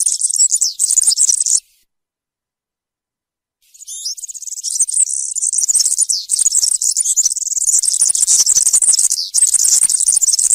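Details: European serin singing in the campero (country) style, a recording meant for young birds to copy: high, buzzy, jangling twitter, a short burst, a two-second pause, then a long unbroken run of rapid chattering notes.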